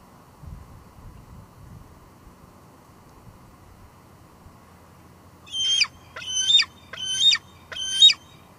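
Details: Evening at a Two Harbors bald eagle nest on a live cam: a female calls out while moving between nest and patio, giving four shrill, piercing squealing notes in an evenly spaced series after several quiet seconds.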